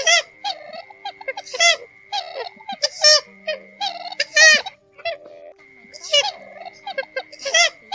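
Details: Purple swamphen lure recording of a single bird separated from its flock, used for night net-trapping: loud, nasal, harsh bursts of calls in irregular runs, with a steady high electronic tone and faint hum underneath.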